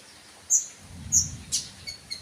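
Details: Two bright, high-pitched sunbird chips about half a second apart, followed by a short rasping note and faint soft chirps, over a low rumble.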